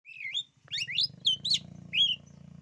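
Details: Oriental magpie-robin singing a loud, varied song of slurred whistled phrases, some rising and falling, with a low steady hum beneath.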